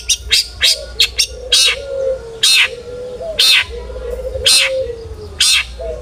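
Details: Long-tailed shrike singing to stir other shrikes into song: a quick series of short sharp notes, then slower harsh rasping bursts roughly every second, over a low wavering whistle.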